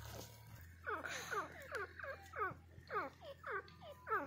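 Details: Grey francolin giving a run of about nine loud, sharply falling notes in quick succession, each a brief descending slur, over a constant low electrical hum.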